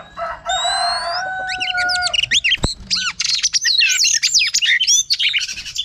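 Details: A female Oriental magpie-robin sings a rich, varied run of clear whistles, rising slurs and quick chattering notes, with a single sharp click partway through.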